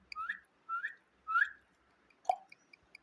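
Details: Parrot whistling three clear rising notes in quick succession, then a short sharp click-like note, in a quiet setting.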